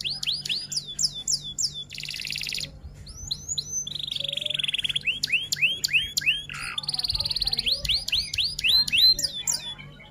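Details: F1 canary singing a long masteran song with rolls and tembak bursts: downslurred whistles alternate with dense buzzy rattles and a level trilled roll, then bright falling notes return.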